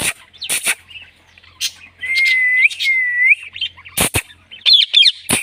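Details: Pet Indian ringneck parrot vocalizing: a sustained level whistle ending in an upward sweep, sharp clicks, and brief warbled notes near the end.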